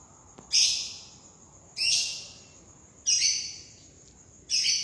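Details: {'caption': 'Green junglefowl, crowing contest 2020: four sharp, high, rasping bursts, each fading away, spaced about one and a half seconds apart over faint background hiss.'}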